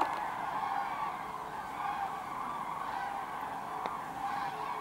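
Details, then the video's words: Part of a huge gathering of common cranes at Kvismaren flying in to roost in the wetland; continuous massed calling from many birds blends into a steady rolling chorus with no single call standing out. "Cranes in Kvismaren"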